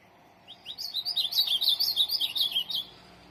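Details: Ultramarine grosbeak kept for song tournaments sings a quick run of high, tumbling whistled notes for just over two seconds against faint low hum.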